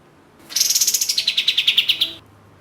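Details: Orange-spotted bulbul (katem) used as a lure to draw attention at songbird contests: a rapid chattering series beginning very high, then dropping and steadying, around sixteen sharp notes in under two seconds.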